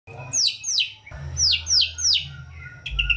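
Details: White-rumped shama singing vigorously, a song full of fill-in phrases, used to prompt lazy shamas to sing: a run of loud whistled notes sweeping steeply downward, about five in a row, with a short softer phrase at the end.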